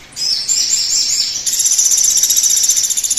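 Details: High-pitched sunbird song meant to prompt other birds to sing: a thin, fast, even trill of tiny notes, first in stepped phrases then as one steady pulsing stream.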